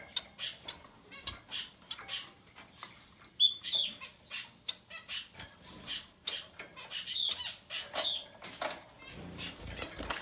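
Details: Society finch chicks, ten days old or younger, beg in rapid repeated high hissing and raspy calls, several per second, rising in intensity toward the end, with faint rustling.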